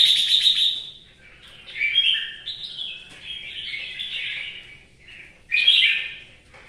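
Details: Vietnamese caged red-whiskered bulbul singing while it rains: an opening bright whistle, a run of lower twisting warbled notes, then a sharp loud phrase near the end.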